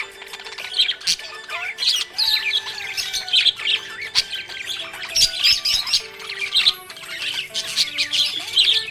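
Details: Budgerigar chirping happily: sharp clicky squawks and bright warbled chirps in uneven bursts, accompanied by a soft continuous musical tone.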